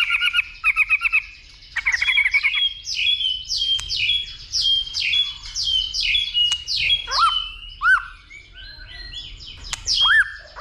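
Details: Male white-rumped shama in captivity singing a fighting song, stimulated by a female: short trilled bursts, then a long string of quick sliding whistles and harsh notes, ending in looping upward whistles.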